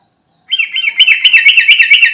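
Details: Sooty-headed bulbul calling companions: a loud, fast run of warbled, bubbling notes that quickens and stays steady to the end, with no other sounds.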